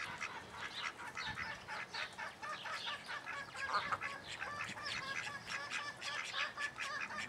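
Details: Call ducks, juveniles kept with chicks in a private collection in Holland, giving dense overlapping nasal quacking calls, rapid and continuous with many birds calling at once.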